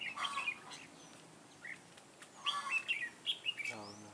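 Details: Red-whiskered bulbul decoy of the Mũ lân Ché type calling to lure wild bulbuls toward a trap, 9 June 2017. Rapid chirpy notes come in short clusters, ending with a brief harsh, buzzy sound.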